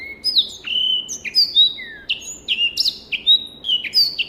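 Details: Black-throated canary from a private collection, used as a tutor recording for training other birds: a continuous, rapid song of clear whistled notes and slurred, sliding phrases, some rising and others falling, with a faint background hiss.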